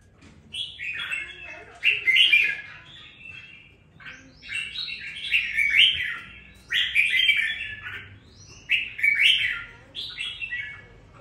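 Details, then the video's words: A newly bought captive red-whiskered bulbul, after two weeks of care, begins singing with some fire: rich, bubbly, tumbling warbled phrases of about two seconds, repeated several times with short pauses. "sau 2 tuần nuôi dưỡng em nó đã ra giọng có chút lửa"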